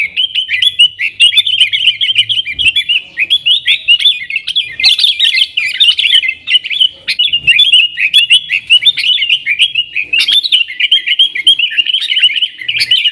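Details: Yellow-vented bulbul in energetic nggaruda-style song, used as a lure for wild sooty-headed bulbuls: an unbroken stream of quick, rolling chirps and warbles with scattered sharp ticks.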